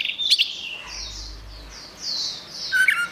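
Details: Short burst of orange-headed thrush (anis merah) gacor song, used as tutor material: a few high, smooth slurred notes following a sharp chirp, closing with a brief clear whistle.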